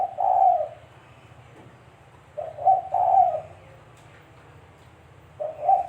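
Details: Lure recording of a spotted dove for trapping: deep gentle coos, a long drawn note, then a two-part phrase, and a new phrase starting near the end, over a low steady hum.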